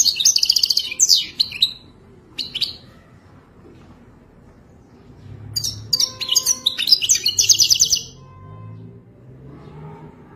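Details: European goldfinch, Wadani-style song: a loud twittering phrase and a short follow-up, a quiet gap, then another fast, jingling burst of chirps and trills.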